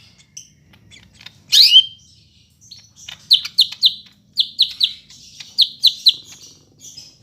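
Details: Greater green leafbird, Medan variety, in Bandung on 5 September: opens with soft scattered notes and a loud harsh rising squeal, then settles into quick triplets of crisp downslurred whistles.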